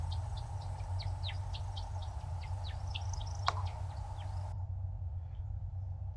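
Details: Male American Woodcock in his courtship flight display, zigzagging through the sky and giving a fast twittering run of thin, liquid, chirping notes, several a second, over a steady low rumble, breaking off abruptly near the end.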